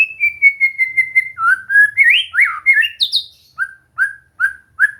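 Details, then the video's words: White-rumped shama practising song: a quick string of level whistled notes, then swooping rising and falling phrases climbing higher, ending with spaced short downslurred whistles. "Latihan santai untuk murai batu AGAR MAU BUNYI dan GACOR"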